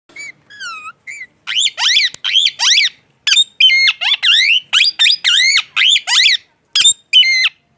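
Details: Parrot giving a rapid series of harsh, squawky chirps in short bursts, each note sweeping sharply up or down, after a few softer wavering whistles at the start.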